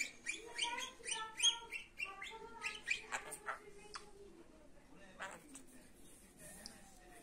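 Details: Pet budgie warbling: quick run of nasal, harmonic chirps and clicks for about four seconds, then quieter scattered twitters as the chatter fades.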